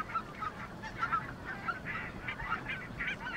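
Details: Geese call in a winter flock of thousands of white-fronted and barnacle geese with one wintering red-breasted goose at Bislicher Insel near Xanten, Germany. There are high, squeaky, clipped honks, several birds calling over one another in uneven bursts over a low rumble.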